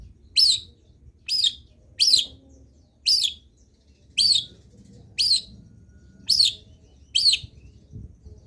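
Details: Long-tailed shrike singing hard, with full fill-in phrases, recorded to prompt other shrikes to join in: eight harsh, scratchy notes, roughly one per second, steady and alike, over faint background hum.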